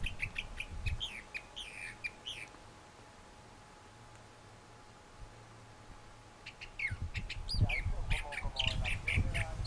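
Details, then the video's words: A thrasher sings a burst of varied chirps and slurs, falls silent for several seconds, then resumes with more varied phrases over low rumbling noise. "Thrasher Singing"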